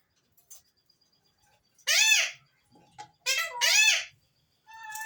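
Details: Alexandrine parakeet giving loud, raspy arched calls, each rising and falling, in two bursts about a second and a half apart, with a fainter tonal note at the end; quiet room otherwise.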